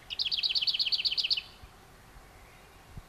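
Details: Lesser whitethroat nestlings begging in the nest: a rapid series of about fourteen high, thin double-note chirps, four per second, lasting under one and a half seconds, then quiet background.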